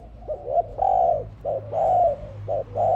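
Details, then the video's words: A dove gives soft, low, hollow coos in quick runs, each note swelling and fading, about one every second, with a faint low hum behind. "Sound dove"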